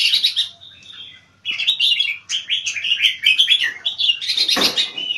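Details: Caged red-whiskered bulbul from Singapore, a competition singer specialising in high-frequency keke: a long run of rapid, bright, chattering whistled notes after a short pause, ending with a loud thump or rustle.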